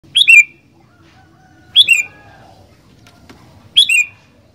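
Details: Sooty-headed bulbul singing actively: three short, bright, slurred whistled phrases, each dropping in pitch at the end, repeated about every two seconds against a quiet background with a faint low hum.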